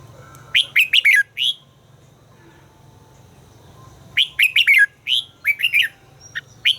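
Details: Red-whiskered bulbul singing in voice training: rapid runs of five or six bright, slurred whistles, a pause of about two seconds, then a longer lively phrase, over a low steady hum.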